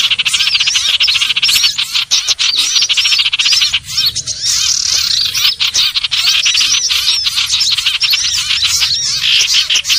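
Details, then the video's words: Lure recording of common iora (sirtu/cipoh) for bird trapping: a continuous burst of rapid, high, twittering chirps and quick slurred whistles, many notes overlapping throughout, sounding restless and crowded. "Suara pikat burung sirtu/cipoh"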